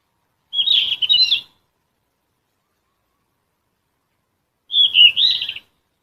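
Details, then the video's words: Yellow-rumped flycatcher near Bogor giving two short warbling whistled phrases about four seconds apart, each a rapid run of slurred notes ending in a brief trill, with silence between. "Yellow Rumped Flycatcher"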